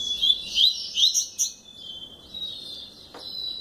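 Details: Kept double-collared seedeater delivering a fast run of sharp rising whistled notes, then a sustained thin buzzy trill, with one faint click near the end.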